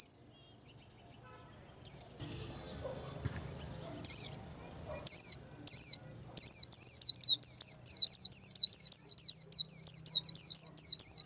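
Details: White-eye preparing to moult gives a few isolated piercing high notes, then breaks into a fast, steady run of about seventeen bright downslurred chirps over the last five seconds; faint low rumble in the background.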